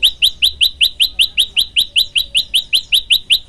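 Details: Vigorous gacor song of a prenjak lumut, the olive-backed tailorbird, for masteran: a quick, unbroken string of loud upward-flicking chirps, about four every second, strongly rhythmic.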